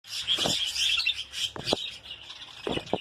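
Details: Lovebirds in a breeding colony give shrill, high chirps and twittering, with a few sharper calls and rustling clicks scattered over three seconds.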